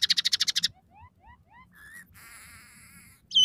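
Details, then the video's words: Singing scaly-breasted munia, its song carrying fills of house sparrow, red siskin and canary: a quick run of high clicking notes, then soft rising slurred whistles, a short buzzy note and a sustained wavering trill. "suara burung emprit peking gacor dengan tiga variasi lagu"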